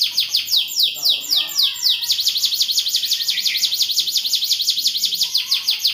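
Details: A canary in full, ornate song: after a few brief buzzy notes it launches into a fast, very regular high trill, notes swooping down in rapid succession roughly eight times a second, with a short low note near the end.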